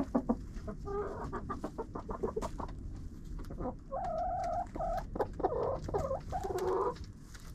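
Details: Chickens in a coop, captured by a GoPro set inside: a run of quick pecking taps, then drawn-out, tonal clucking calls repeated several times in the second half over constant low rustling.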